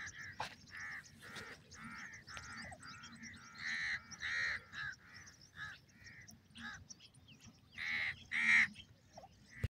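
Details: Dakhni teetar and Irani teetar francolins calling as a pair: a rapid string of harsh, raspy notes repeated in quick succession, some louder bursts near the end, over faint low background noise.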